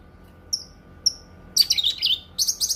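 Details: Cucak kinoi: two thin, high, clipped notes, then a sudden dense burst of scratchy, jumbled chattering and a second rapid chattering phrase.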